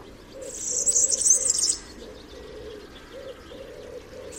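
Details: Song of the European Serin, described as typical and diagnostic: one fast, high-pitched twittering phrase lasting under two seconds, then a low droning hum in the background.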